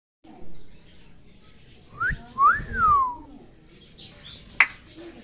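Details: A hand-raised, tame, friendly male African grey parrot gives a short rising whistle, then a longer slurred whistle that climbs and falls away. A sharp click follows amid quiet room noise.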